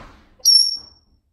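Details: A talkative pet female parrot at home gives one thin, very high whistle, held briefly and fading out, after a low murmur of background sound.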